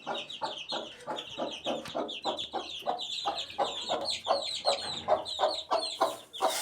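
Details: Eighteen-day-old chicken chick: many overlapping high peeps with rapid, fairly regular tapping pulses, about three per second, and a brief hiss near the end.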